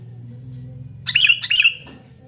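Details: Sooty-headed bulbul calling, noisy and lively. A burst of bubbly, chattering notes near the middle lasts under a second over a steady low hum.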